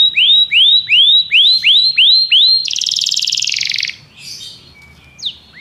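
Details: Belgian canary repeating looping upswept whistles about three per second, then a fast buzzy trill, followed by near quiet with a single sweeping note.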